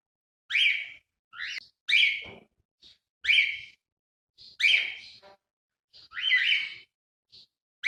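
A cockatiel gives loud, harsh whistled calls, repeated every second or so.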